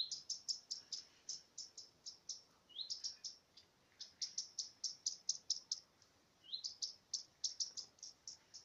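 A common redstart gives its alarm: a rising high whistle followed by quick runs of sharp, high ticking notes, repeated steadily with brief pauses.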